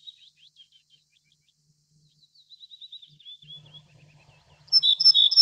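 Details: Little Bunting calling: faint, thin, high notes flicker through the first four seconds, then a sudden cluster of sharp, loud, high-pitched ticking notes bursts out near the end.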